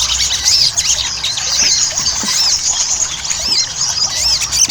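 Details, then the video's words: Ruby-cheeked sunbird song used as a singing lure: shrill, looping high whistles and rapid chips in an unbroken chatter, several arched notes repeating near the end. "PANCINGAN SOGON AGAR CEPAT GACOR"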